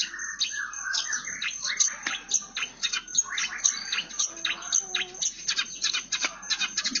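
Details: Long-tailed shrike singing actively, its song filled with imitated sparrow calls: a dense, fast run of sharp chirps and twittering notes, many short and repeated, with high, bright tones dominating and a faint low background hum.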